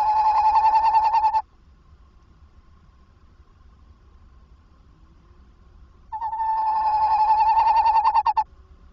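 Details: A tawny owl calls at 21:45 on 27 August 2024 while visiting and entering a nest box, giving two long, quavering, mid-pitched notes, each vibrating rapidly for one to two seconds, several seconds apart.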